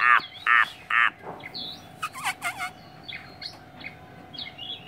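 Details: Chinese hwamei from Hanoi, Vietnam: three loud, harsh, broad notes in quick succession, then a brief run of rapid, slurred, rising and falling whistles, followed by softer scattered chirps and a steady faint hum.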